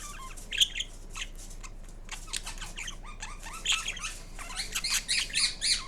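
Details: Green pet Indian ringneck parrot making different sounds: busy jumbled chattering and squeaks that speed into rapid repeated harsh notes toward the end.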